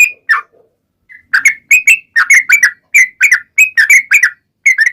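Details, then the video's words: Sooty-headed bulbul (trucukan) song used as a lure so other birds sing back: lively whistled two- and three-note phrases, slurred and bubbly, repeated in quick bursts with short pauses, no other sounds. "KICAU SUARA trucukan gacor ropel panjang pancingan trucukan agar bunyi MENJADIKAN trucuk gacor NYAUT"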